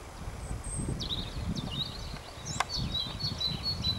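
White wagtail giving short, thin chirping notes in quick bursts, with a high whistle early on, over low rumbling wind and one sharp click.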